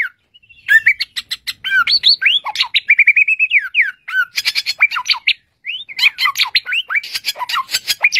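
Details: One great tit in vigorous, highly varied song: dense streams of high squeaky chirps, rising and falling notes and rattling twitters with barely a pause.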